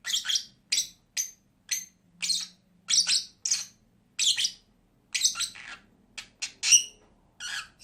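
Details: Two pet lovebirds making clean, separate bursts of shrill chirping squeaks, roughly two per second with short gaps, in a quiet indoor setting.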